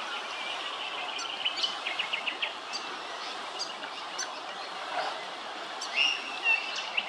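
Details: Willie wagtail at Hervey Bay, Queensland, giving quick, scratchy chips and short bright notes, about two a second, with a clearer whistled phrase near the end over a steady outdoor hiss.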